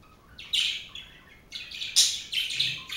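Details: A group of four pet budgerigars chattering in bursts of scratchy, high warbles and chirps, several overlapping notes in quick succession over three seconds.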